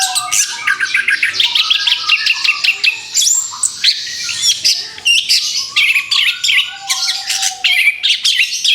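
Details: Orange-headed thrush, freshly through its moult, singing a therapy song meant to get moulted birds singing again: fast, dense run of sharp chirps and high buzzy notes with brief pauses, a thin steady low whistle underneath early and late.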